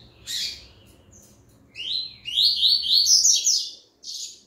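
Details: Double-collared seedeater, type IT, singing again after its moult: a quick high twittering phrase of rapid slurred notes rising and tumbling, preceded and followed by short single chirps, over a quiet low hum.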